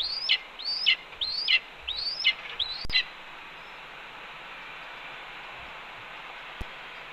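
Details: Scolding by a red-tailed hawk at its Cornell nest, 28 April 2013, while a branch is delivered: a quick run of five high, rising, abruptly falling chirps, then a click and steady background hiss.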